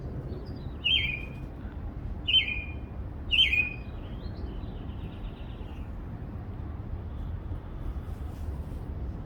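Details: A backyard bird twitters three short, quick down-slurred whistles in the first few seconds, then stays quiet while a soft low background noise continues.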